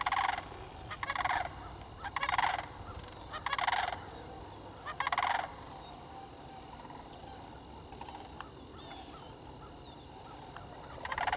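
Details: Two Sandhill Cranes joining a flock and announcing their arrival during fall migration, October 7, 2011; loud, rolling, rattling bugles in five bursts about a second apart, then fainter distant calls from the flock.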